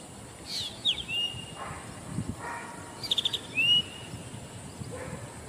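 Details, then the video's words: Zitting cisticola calling, a bird heard rather than seen: quick high ticking notes in a short burst followed by a rising whistled note, with scattered faint chirps and a constant high background hiss. "HEARD RATHER THAN SEEN-ZITTING CISTICOLA"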